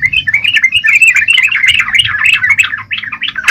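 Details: Yellow-vented bulbul singing vigorously, a continuous, bubbly chatter of rapid, twisting notes, several per second, with no pauses throughout.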